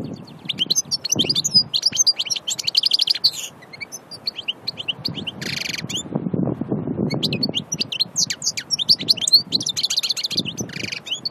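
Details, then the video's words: European goldfinch of Annaba, Aïn Barbar, Algeria, a pure natural singer, in a long energetic song of fast high twitters, chattering trills and buzzy rattling bursts, with brief pauses, against low background noise. "Chardonneret Annaba Aïn Barbar"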